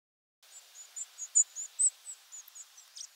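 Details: European Robin nocturnal migration flight calls, compiled from two nights: a rapid series of thin, very high, short tseep notes, each varying in shape, about three per second.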